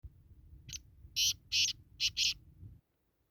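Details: Black francolin call: a short phrase of five harsh, buzzy, high notes, one faint then two longer and two clipped, over low background hum that stops at the end.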